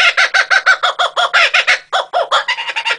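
A kookaburra laughs in a fast run of harsh, cackling notes, about six a second, breaking into a rolling, uneven chatter near the end.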